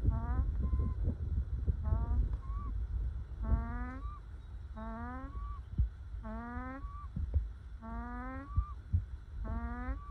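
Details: Contented ducks sunning themselves call repeatedly: about seven nasal, upward-sliding harmonic calls, some followed by a brief higher whistle, over a low rumbling ambience.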